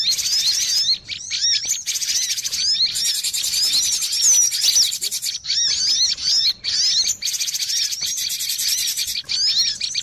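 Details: Cinereous tit lure sound for catching birds, loud and crowded: rapid high chirps, upward-swooping whistles and buzzy ticking layered together in long bursts broken by brief quiet gaps.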